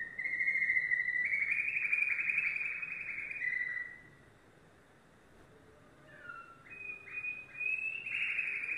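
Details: Yellow domestic canary delivering a long sustained rolling trill that steps slightly higher, a brief pause, then a series of short buzzy trilled phrases rising in pitch.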